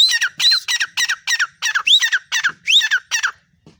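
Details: Female black francolin giving a rapid run of about a dozen harsh, squawky notes. A few notes rise into clear upward whistles, and the series ends with a short pause.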